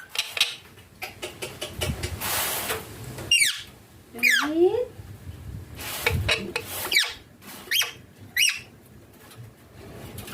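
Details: Indoor green Indian ringneck parakeet with its owner, letting out scattered piercing screeches spaced a second or more apart over rustling, clattering room noise and a low voice.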